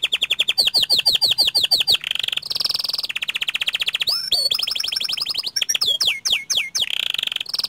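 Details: Actively singing panda canary: quick chains of high chirped notes, thick buzzing rolls, and sharp downward-swept whistles in rapid succession, a continuous varied rolling song.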